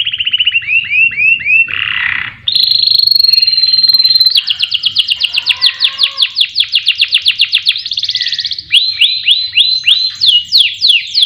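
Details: Canary singing as a lure to prompt other songbirds: a busy run of rapid trills, a harsh buzzy burst, a long steady whistle, then quick repeated notes and rising sweeps, all loud and unbroken.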